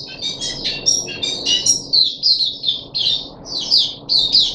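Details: Puff-backed bulbul in captivity during the third day of deworming, 14 July 2021, sings a quick string of bright chirps and slurred whistles, each note separated by brief pauses. A soft background hum is present.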